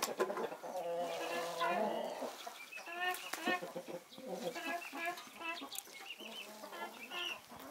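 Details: Naked Neck, Marans and Easter Egger hens soaking up winter sun, giving long harmonic murmurs then scattered clucks and higher chirping calls from several birds, with soft rustling throughout.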